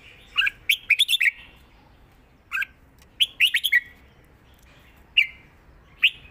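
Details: Lively 'rik' and southern 'mae bot' style phrasing by a red-whiskered bulbul: tumbling groups of rapid whistles, a pause, another warbled run, then single bright notes.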